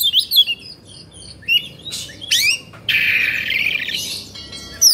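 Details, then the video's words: Oriental magpie-robin in Indonesia, agitated, tail spread and feathers fluffed, delivering bright whistled notes, sharp rising chirps and a long harsh rasping burst near the end of the sequence. "Suara Kacer Emosi/Kongslet"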